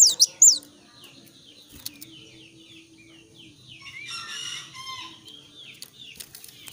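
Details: Young Sooty-headed bulbul singing busily with varied phrases: a burst of loud high whistles at the start, then a run of quick descending chirped notes with a warbling patch near four seconds, over a steady low hum.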